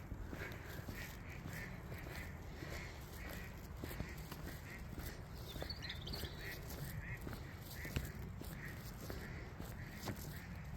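A duck gives harsh, raspy quacking calls, repeated roughly every second, over a steady low rumble of background noise.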